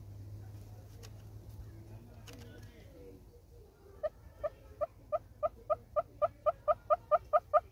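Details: A Southern Red-billed Hornbill in South African arid savanna gives its call: a run of hollow clucks that start as single notes, then grow louder and more emphatic with doubled notes. A low hum and faint background noise come first.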